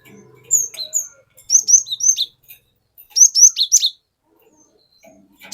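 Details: Lure song of a wild-caught cinereous tit, played to provoke rivals. Two phrases of quick, high, piercing whistles that slur downward, about four to six notes each, separated by a second of quiet.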